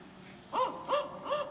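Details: Male spotted owl giving a territorial call of three short, low, slightly arched hoots about 0.4 seconds apart. Such calls come in territorial encounters, especially after sunset and at dawn.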